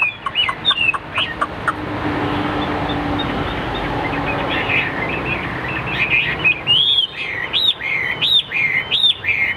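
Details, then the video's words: Hwamei in a caged fighting display: brief whistled notes at first, then a stretch of broad hissing noise, before looping whistled phrases return near the end. "Đẹp đấu xòe chất giọng cực hay l Hoạt Họa Mi"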